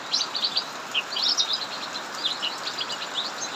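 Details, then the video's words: Amid heavy rain in an aviary, a cucak mini delivers a lively run of high, rapid twittering notes in dense clusters, with the rain's broad hiss underneath. "Burung cucak mini Ngacor saat hujan deras"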